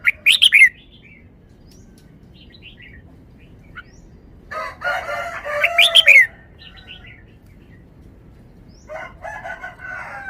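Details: Forest-style song of a caged red-whiskered bulbul: short loud bursts of bright warbled notes separated by quiet gaps, one mixed with a rough, harmonic crowing, plus soft scattered chirps.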